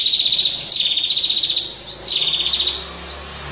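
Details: Bar-winged prinia female calling the male: high, fast trilled bursts in short runs of under a second, separated by quick rising chirps and slurred notes.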